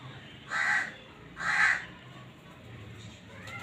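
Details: Two loud, rasping notes from a black francolin giving its breeding call, about a second apart, followed by quieter background noise.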